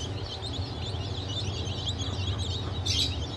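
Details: Newly hatched Legbar, Silver Wyandotte, Sussex and GSG Wyandotte chicks, 28 June 2023, giving a busy stream of high, quick falling peeps from several birds, a sharper call near the end, over steady low humming.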